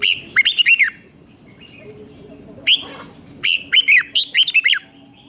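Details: Red-whiskered bulbul in Thailand with its 'double 2, double 3' five-syllable song for teaching young birds: a quick phrase of looping whistled notes, a single isolated note, then a longer, fuller phrase of rising and falling whistles.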